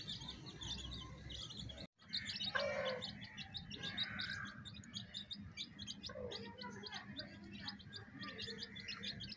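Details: Baby chicks with a hen: constant rapid high peeping from many chicks over a steady low background hum, with occasional lower clucking sounds.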